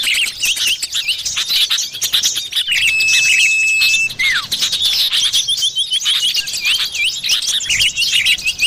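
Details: Common iora in the forest, recorded as a bird lure: a long even whistle dropping sharply at the finish, amid dense overlapping high chirps, trills and twitters.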